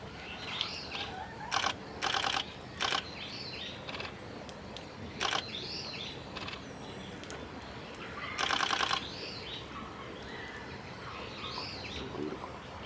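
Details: A male Narcissus flycatcher at Gongenyama Bird Sanctuary, 8 October 2018, gives short, rich whistled phrases every few seconds; loud dry rattling bursts, like flapping or knocking, break in repeatedly over steady background hiss.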